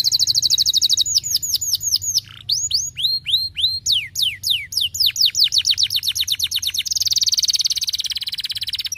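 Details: Canary song meant to stimulate lazy canaries into singing: a long varied performance of fast trills, sweeping slurred whistles and rolling repeated notes, ending in a dense high buzzing roll, loud and clear.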